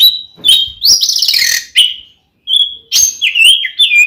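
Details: Male-provoking fighting song of an oriental magpie-robin used as a lure: clear rising and falling whistles, a harsh grating burst, then a short silence before more bright warbled whistles.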